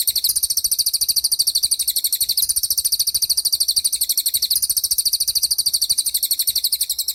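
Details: Cililin singing tembakan, a sharp training recording for white-rumped shama and other songbirds: an unbroken, fast, high, chattering trill that swells slightly in roughly two-second waves over seven seconds.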